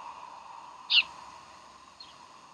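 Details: Bald eagle at Decorah, 15 January 2012: one sharp, high squealing chirp, followed a second later by a much fainter echoing note, over a steady low electrical hum.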